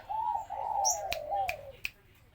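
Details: A spotted dove kept at home as a pet bird gives one drawn-out, gently falling coo lasting about a second and a half, followed by a few sharp taps.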